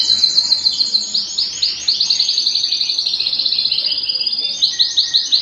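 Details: Canary singing at home, loud rapid rolling trills in high bursts, evenly pulsed and continuous, with a short pause near the middle.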